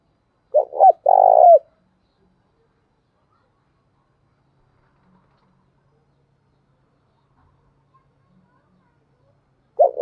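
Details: Decoy spotted dove calling to provoke wild doves into answering, described as having a 'đồng' voice style. A single short burst of low, hoarse cooing phrases comes early, followed by long silence and another coo starting at the end.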